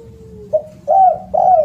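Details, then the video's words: Spotted dove with a loud voice: a soft level note, a short clipped coo, then two full, rich coos close together. "SUARA BURUNG DERKUKU ( suara keras )"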